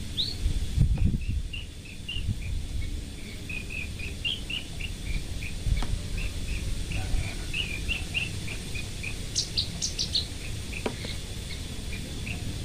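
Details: Caged local Horsfield's bushlark of the parva type in loud song: a long run of short, quick high notes repeated rapidly, with a few higher sharp notes near the end and a noisy low background.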